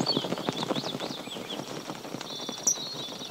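A stork's dry, wooden clattering in quick irregular bursts, with thin high chirps and whistles from small birds behind it.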